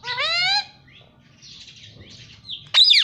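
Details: Talking pet Indian ringneck parrot, known to say "Mummy" and "Papa", gives a half-second voice-like syllable that rises slightly, then soft murmuring and a sharp, piercing screech at the end.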